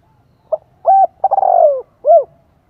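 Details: One full phrase from a decoy spotted dove calling to entice wild birds: brief clipped note, even coo, a vibrating trill gliding down, and a final arched coo, clear against a quiet background.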